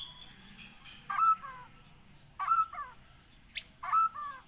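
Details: White-rumped shama from Aceh, Gunung Leuser, trapped in Pining in 2017 and now kept captive. Quiet, lower-pitched warbled phrases are repeated three times about 1.4 seconds apart, over faint background hiss.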